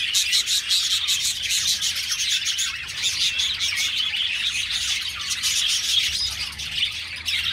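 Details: A crowded colony of caged budgerigars keeps up lively, overlapping high-pitched chirping and warbles, with sharper clicks and squeaks scattered through the steady chorus.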